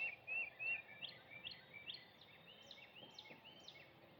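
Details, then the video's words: Birds singing at sunrise on Easter Sunday: a clear whistled phrase followed by repeated rising, slurred notes about three per second, over a soft background hiss. "Easter Sunday Sunrise with the Birds singing"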